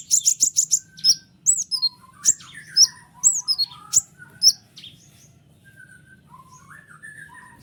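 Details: Tightly packed bursts from a white-winged triller, a training recording for lazy songbirds: a rapid string of high stuttered notes, falling whistles, then quieter lower slurred notes as the phrase fades out.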